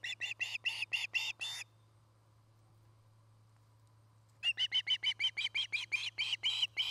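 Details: Nest-cam recording of an Osprey in Charlo, Montana, dated 09-08-2018: a burst of loud piercing chirps, a pause of nearly three seconds, then a longer quick run of about fifteen chirps, all above a constant low electrical hum.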